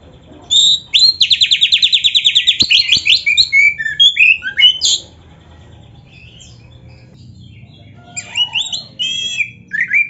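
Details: Oriental magpie-robin (kacer) singing a 'full isian' song for tutoring: a long rapid trill of repeated notes, then varied whistled and squeaky phrases, a silent stretch, and fresh bursts of high chirping.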